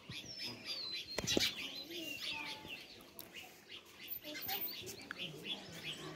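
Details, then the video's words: Sparrows chirping in a continuous twittering chorus, a sharp clattering knock just after one second, and scattered sweeping high notes among the steady chirps. "Sparrow (Birds) Chirping Sound"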